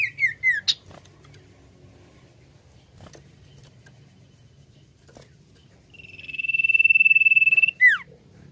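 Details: A few descending chirps from a common iora, a quiet stretch with faint knocks and hum, then a swelling high trill held nearly two seconds and closed by a steep falling note.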